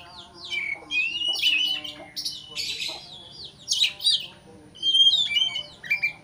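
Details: Oriental magpie-robin singing emotionally to goad a rival. Quick bursts of bright whistled notes, buzzy squeaks and long level whistles come in short phrases separated by pauses, over a faint low hum.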